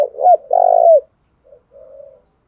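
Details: Lure coo of a spotted dove from Dong Nai, Vietnam, used to stir up and train decoy birds: a brief hooked note and a longer buzzy coo sloping down at the end, followed by two much fainter coos.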